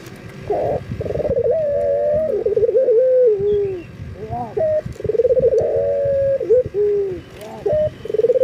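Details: Local collared dove male in breeding condition calling to females: rolling, wavering coos that slide gently downward, alternating with short abrupt notes, with faint background murmur.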